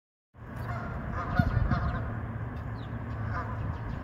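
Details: More than twenty geese gathered on a pond, giving rough, nasal honks that overlap into a dense, continuous chorus over a steady low rumble, with a few sharper honks standing out near the middle.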